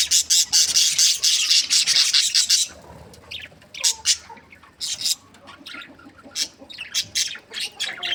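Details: Several happy budgies chirping: a dense stretch of harsh, rasping chatter, then scattered short squawks and chirps with brief gaps between them.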